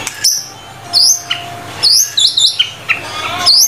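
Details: White-rumped shama (murai batu) in full lively 'gacor' song, from a tutor recording of 25 song materials: sharp high whistled notes and quick upslurs, in bursts separated by short pauses, over a quiet background.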